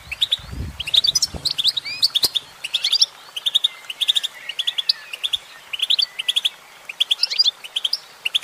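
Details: A female goldfinch sings a busy, high twitter of repeated chirp clusters and slurred whistles; a short low rumble and a sharp click sound near the start.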